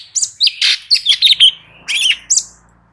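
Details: Light-vented bulbul singing energetically as tutoring audio to prompt replies; a continuous string of sharp chirps and short slurred whistles with slight echo behind.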